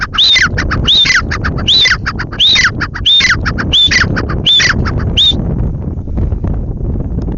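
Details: Grey francolin (teetar) giving a repeated series of harsh, ringing squawked phrases with a rising-falling whistle, about nine in quick succession, then stopping abruptly; steady low rural noise continues underneath.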